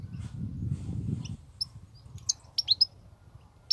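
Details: Wild European goldfinch singing continuously in 'batbatat' style: after a low rumbling opening, sharp high chirps appear one by one, then a quick cluster of two or three descending notes near the end, with a steady low hum throughout.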